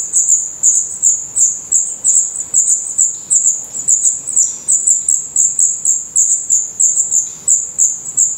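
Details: Nestling black redstarts in Portugal, eyes open and growing their definitive feathers, begging from the nest with a steady stream of very high, thin, hissing notes repeated about three times a second.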